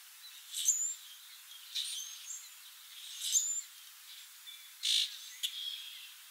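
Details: Song sparrow singing and foraging, giving loud high phrases about every one to two seconds, each a sharp buzzy burst followed by thin whistled notes, with a steady background hiss.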